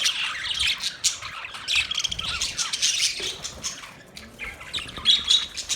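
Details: Budgerigars chirping: dense, busy high chatter of overlapping scratchy chirps and short whistles, continuous throughout, with a brief clear whistled note near the end.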